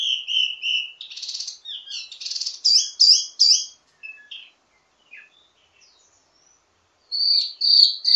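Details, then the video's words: Ledekan (teasing) song of a wambi mini with many variations, meant to train birds of its kind: level whistles, then buzzy chattering notes and sharp upswept chirps, a lull, and renewed loud twittering. "Ledekan Wambi mini Full Gacor Banyak Vareasi"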